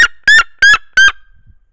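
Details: A female red-legged seriema sings facing the camera while sitting on her nest, warming her single chick, giving four loud, ringing yelps about a third of a second apart, each harsh and rich in overtones with a slight rise and fall.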